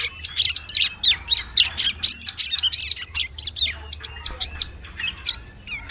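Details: Bar-winged prinia lure calls for the forest: a near-continuous stream of high, arched and sharp chirps, loosely repeated several times a second, ending in a short quiet stretch.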